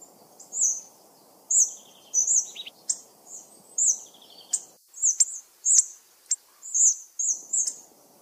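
Hawfinch giving short, sharp, very high 'tzik' notes, about one or two each second, with a few softer lower chirps over a low background rumble.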